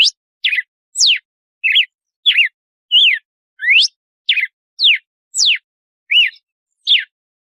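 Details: Red-cowled cardinal delivering the açoite song in 'compasso' cadence: loud clear whistles, alternating falling slurs, rising sweeps and looped notes, repeated roughly every half second against a silent background.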